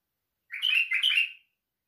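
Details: White-eared bulbul singing a compact phrase of rich, slurred whistles in two quick parts with a tiny gap between them, nearly one second in total, with no other sounds present.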